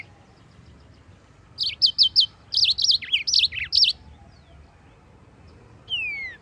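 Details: Yellow-fronted canary singing steadily as a tutor for white-eyes: a burst of four quick sharp notes flows into dipping, swooping warbles, then silence and a single long downslurred whistle.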